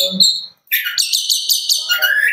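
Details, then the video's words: Caged young long-tailed shrike delivering a fast burst of layered, buzzy and chattering notes after a short high whistle and a brief pause, ending on a rising note. "Cendet Muda Gila Ini pasti Bikin Juri Takjub – Materi Lengkap & Speed Ngebut"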